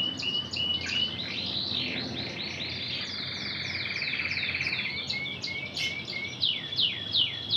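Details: Canary of the intense red variety, trained in Spanish Timbrado style, sings quick downward slurs, a sustained fast rattling roll, then clipped rising and falling notes in brisk succession.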